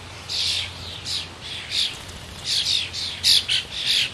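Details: Talkative blue jay at a suet feeder giving a run of hoarse, noisy squawks, about eight bursts at uneven intervals, each rough and high-pitched.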